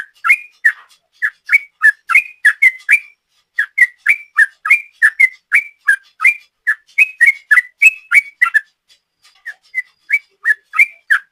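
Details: Sooty-headed bulbul in lively 'ropel panjang' song style, recording used as a lure: rapid clear whistled notes, mostly short rising and falling phrases, about three per second, with brief pauses near 3.5 and 9 seconds; no other sounds.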